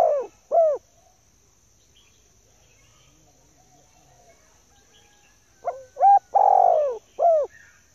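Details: Luring call of a female spotted dove: the end of one cooing phrase, a quiet gap, then a complete phrase of short note, rising note, drawn-out falling coo and clipped closing coo; faint high steady tone throughout.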